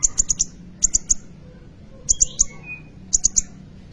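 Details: Sunbird, locally called kolibri ninja, in full voice as a lure for training other songbirds: clusters of three to four very high, sharp ticking notes, repeated about every second, with faint thin whistles between.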